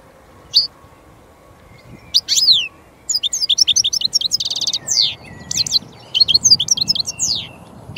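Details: European goldfinch (Carduelis carduelis), a small, colourful finch: a scattered opening chirp, then a rapid, sustained twittering song of high tinkling notes, buzzy trills and slurred whistles.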